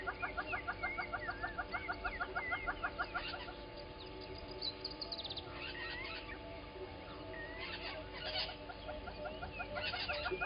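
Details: Little grebes at Gowrie dam waterhole, Djuma Game Reserve, Sabi Sand Wildtuin, South Africa, recorded 10/08/20 by a live camera. Rapid repeated pulsed notes run as a steady trill, then break up. Other chattering birds call throughout.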